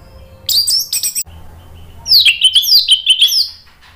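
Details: Orange-headed thrush (anis merah) singing in the gacor, ngeplong style, used to stir a bird that has stopped singing into answering: two sharp high bursts, then a fast run of clear, slurred whistles dropping and rising.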